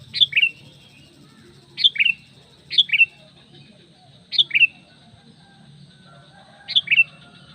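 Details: Lure call of a sooty-headed bulbul meant to summon other bulbuls: clear, quick two-note whistles dropping in pitch, given five times at uneven intervals, with faint low hum beneath.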